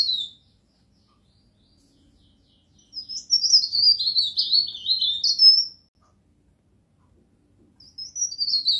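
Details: Burung pare pare, a pied bush chat, in a masteran recording: a near-silent stretch, then one sustained three-second run of high, rapid, scratchy twitters, and a fresh phrase beginning at the end.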